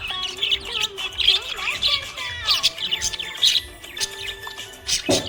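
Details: Happy budgerigar chirping: dense, rapid twittering and warbled chirps with quick rising and falling notes in a steady stream, over a song with music playing in the background.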